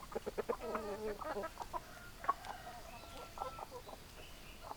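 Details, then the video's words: Hens clucking: rapid bursts of short, harsh clucks with a few drawn-out, nasal notes in between, several birds overlapping, over a low background hum. "Chicken Sounds Noises Hens Clucking Roosters Crowing"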